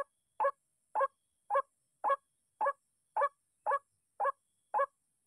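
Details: White-breasted waterhen reacting angrily to a decoy's MP3 sound during bird trapping: loud hoarse clucking notes repeated steadily about twice per second, with a faint steady high hiss in the background.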